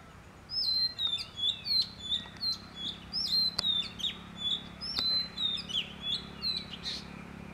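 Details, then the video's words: An Oriental magpie-robin in Sagar, Shimoga, Karnataka, India, sings a fast, varied run of clear whistles and sharp chirps, about three notes a second, over a low background hum. "Oriental magpie robin"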